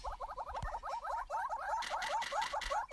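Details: Courting pair of wet Southern yellow-billed hornbills on a bare branch after rain in southern African savanna; clucks quicken and rise into louder, upward-inflected notes, with a harsher rasping layer joining near the end.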